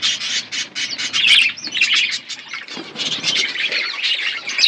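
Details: Budgies chirping as they eat: a dense, scratchy chorus of squawks and rapid warbling chirps running almost without break.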